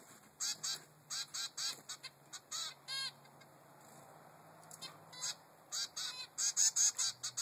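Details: Three-week-old zebra finch demanding to be fed by its mother, giving irregular clusters of nasal, buzzy calls with a quieter gap midway before the calling resumes, and a low hum in the background.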